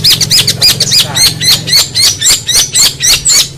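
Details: Long-tailed shrike master song for tutoring competition songbirds: rapid high, sharp chirps with buzzy inflections, about four notes per second, over a low hum and faint voices.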